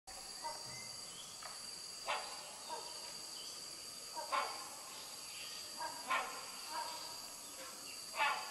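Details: Hornbills calling at the Sungai Papan campsite, Royal Belum State Park, Perak, Malaysia, apparently on 21 August 2020 around 11 am: harsh, barking honks at uneven intervals of one to two seconds over a steady, high insect drone.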